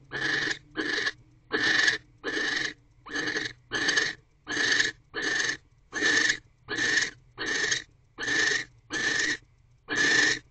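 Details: Barn owls mating inside a nest box at 6:52 pm on 25 December 2023; the female grips a rodent the male brought her. Fourteen coarse, hissing screeches follow one another at under a second apart, a continuous low hum beneath.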